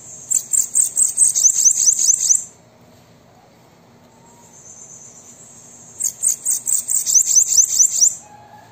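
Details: Bananaquit singing, recorded to stimulate caged birds to sing: two bouts of rapid, very high, buzzy notes, each about two seconds of pulsing downslurred chirps, separated by a soft high hiss.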